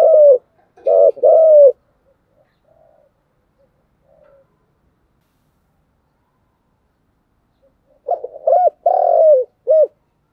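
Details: Spotted dove giving 'thúc gù' cooing: a burst of low, mellow paired coos, then several seconds of near silence with faint murmurs, then another run of the short-long coos.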